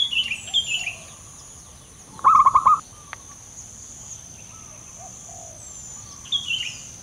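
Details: Local male zebra dove, loud and frequently singing, delivers one burst of quick throbbing coos mid-clip, while thin high chirps from other birds sound at the start and end.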